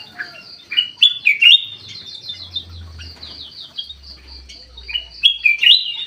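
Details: Aviary bulbul in busy song: sharp upslurred whistles and quick warbled notes in separate bursts, with a steady high trill running behind and a low hum.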